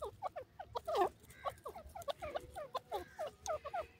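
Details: A silver francolin (teetar) gives a fast run of harsh, clucking notes, about four a second, each short and rising slightly, with faint chatter of other birds behind.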